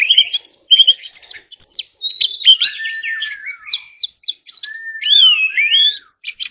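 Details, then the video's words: White-rumped shama in contest song, mixing quick bright whistled phrases with long, lower whistles that slowly descend, delivered in varied bursts separated by brief silences. "choè than hót líu"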